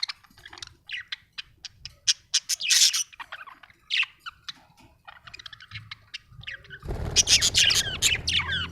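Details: Colourful Australian budgies kept as pets, said to be happy, chattering fast with a busy stream of sharp chirps, squeaks and warbles, several notes per second, ending with a louder burst over a low rumbling background.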